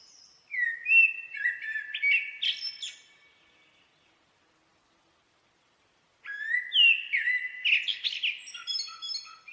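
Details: Two phrases of common blackbird song separated by a silent gap of about two seconds, each made of melodious fluted whistles followed by thin, high squeaky flourishes.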